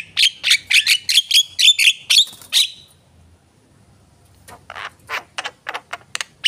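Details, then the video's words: Javan myna in lively captive song; a rapid series of harsh chattering notes, then a quiet pause, then sharper clicking and scratchy notes spaced about twice per second. "jalak kebo gacor"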